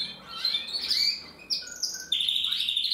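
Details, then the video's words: Male canary, an older bird, resuming song practice after its moult: rapid twitters, clear whistled tones at changing pitch, then a sustained high rattling trill through the final second. "Kanarienvogel singt"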